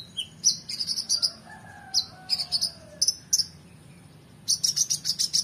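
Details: Oriental magpie-robin in excited song, recorded as a tutor for competition birds: sharp high chips and buzzy bursts, with long, low, smooth whistles sliding gently downward in the middle, then a fast rattling series at the end.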